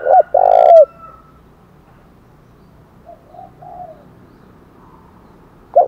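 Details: Spotted dove 'thúc' call, 'thổ đồng' voice, meant to incite fighting. One close phrase of short hoots and a long low coo, then faint distant coos mid-clip. A new phrase starts at the very end.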